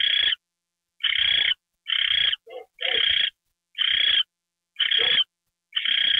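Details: Owl taking a mouse treat, evening of January 28, 2013: raspy, hissing bursts spaced about a second apart, with a brief, quieter, lower-pitched chirp between two of them.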